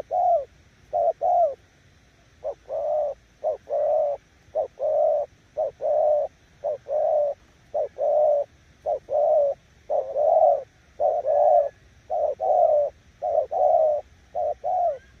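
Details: Decoy spotted dove showing its coo style in a long, steady series of short and long mellow coos, evenly paced with only short breaks.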